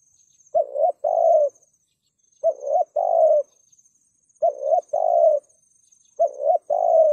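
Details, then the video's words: Spotted dove cooing to attract wild birds, a lure recording in the driving 'thúc gù' manner: four even phrases, each a short rising coo then a longer throaty one, spaced about two seconds apart over a faint continuous high tone. "Tiếng Cu Gáy THÚC GÙ VÍP Giọng SÁT BỔI Kích Mồi,Bổi Và Chim Rừng Rất Hiệu Quả,Cu Gáy Thúc Gù cực hay"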